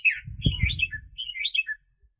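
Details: Red-whiskered bulbul serving as a trapping decoy in the 2021 season: two slurred, warbling phrases over loud low-pitched handling thuds and rustles.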